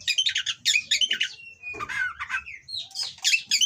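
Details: Oriental magpie-robin in mating condition from a breeding farm, singing rough, harsh material meant to provoke rival birds: fast bursts of high buzzy and whistled notes, a thin sustained whistle midway, then more rapid chattering phrases.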